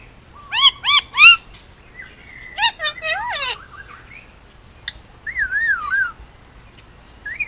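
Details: Hand-raised pet male Indian ringneck, nearly two years old, on Oahu, Hawaii, giving quick chirps in bursts of three, a cluster of bouncing notes, then a wavering warbled whistle that rises and falls several times.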